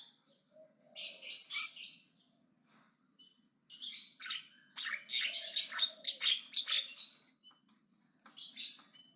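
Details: Aggressive Javan myna giving loud chattering song, dense harsh noisy bursts in clustered runs separated by short pauses, with a faint low whistle between phrases.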